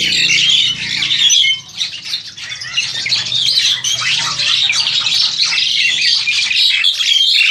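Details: Indonesian farm-bred Crested Myna, roughly seven to eight months of age, captured with an old Samsung phone: loud squawky chatter, a brief dip near two seconds, then sustained jumbled high squeaks and whistles.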